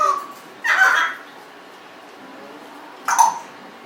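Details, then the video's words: Congo African grey parrot, a 1.5-year-old pet kept indoors, gives two short raspy, caw-like calls about two seconds apart in a quiet room. "talking, burping, lots of vocalizing."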